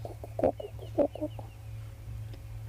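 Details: Hornbills on an African safari afternoon drive on 5 September give hollow, clucking notes in quick uneven series, a few louder pairs, as a brown-hooded kingfisher calls in the background, over a low engine hum and faint whistles.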